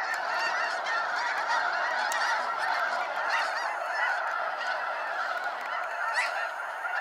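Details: Dense honking of a large snow goose flock during a sunset fly-out at Sacramento National Wildlife Refuge; overlapping nasal barks and yelps blend into a continuous roar with no pauses.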